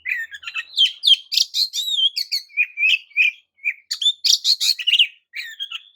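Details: Provocative song of the Oriental magpie-robin aimed at rival birds: a dense, continuous run of warbled whistles, chirps and short trills, high-pitched and rapidly varied throughout.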